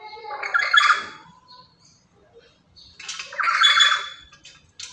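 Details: Very active, noisy lory kept as a lure and master bird for other lories, making two raspy, lower squawks several seconds apart.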